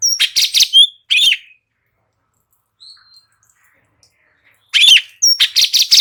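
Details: Light-vented bulbul in energetic song used as tutoring audio to prompt other birds to reply; dense chattering phrases open and close the passage around a long quiet gap holding one faint note.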